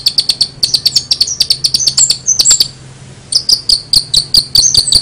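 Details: An energetic long-tailed shrike gives odd, chattering song. Rapid high clicks and short whistles run for two seconds, stop in a pause of about a second, then start again.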